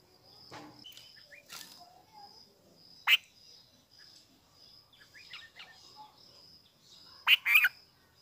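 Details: Bulbul parent feeding its newborn babies; faint chirps give way to one sharp buzzy burst mid-way and a final double burst of harsh, rasping calls, with a constant high-pitched drone behind.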